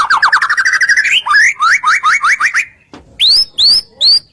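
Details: Song of a white-rumped shama, played to stir other shamas to answer: a rapid rattling trill gliding upward, then repeated rising slurred notes, a short pause, and three high upswept whistles.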